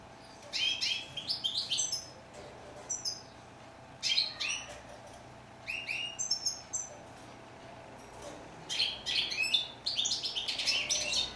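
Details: A European goldfinch gives short bursts of bright twittering about every two seconds, each a cluster of high, sharp chirps separated by quiet gaps.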